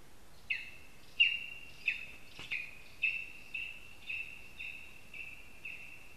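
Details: Lesser spotted eagle at a nest in a spruce in Zemgale, Latvia, giving a series of about ten thin, high yelping notes, one roughly every half second, fairly even, with a brief knock midway.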